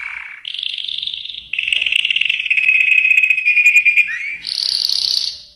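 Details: Yellow canary delivering continuous rolling tours: a low slurred note, then mid-pitched buzzy trills sustained for several seconds, a quick downward slur, and finally a high, dense, rapid trill, all sung without pause.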